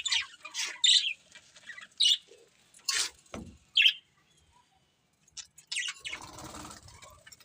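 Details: Budgies giving separate short, sharp chirps a second or so apart, with quiet gaps between them and a brief rustling noise toward the end.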